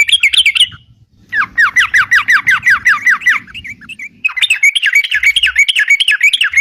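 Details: Sooty-headed bulbul (crucukan), energetic singing meant as a lure for trapping birds: a short chirp burst, a pause, then a long run of repeated downslurred notes about three per second, a few scattered notes, and a renewed warbled chatter.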